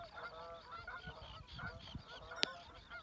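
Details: Canada geese honk as a flock while flying over the water at Reveln, Stornäset, Alnö, Sweden, on 7 August 2022, heading south; many nasal, overlapping calls tumble together in quick succession, with one sharp click partway through.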